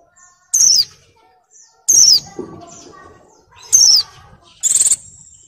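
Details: Female Oriental white-eye, molting but in breeding condition, summoning males. Three high, falling whistled notes are followed by a harsh buzzy burst, with faint chirps in between.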